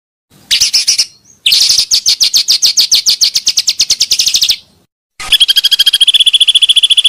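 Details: Pancawarna bird, used for luring: a long, fast stream of high ticking chirps, then a pause and a steady, even pulsing trill.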